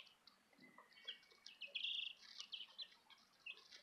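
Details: Southern Rambler and Golden Comet chicks cheeping: thin, high chirps scattered across the recording, a few louder trilled peeps in the middle, over a faint hiss.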